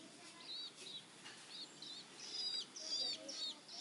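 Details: Young Long-tailed shrike of three weeks, being hand-fed crickets, utters strident, buzzy, slightly rising begging chirps in a rapid, uneven run that grows louder toward the end.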